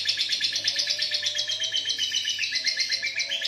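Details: Moulting lovebird delivering its ngekek song, a sustained run of fast, high, scratchy chirps repeated in an even stuttering rhythm of several notes per second, bright and continuous throughout, over a faint low background hum.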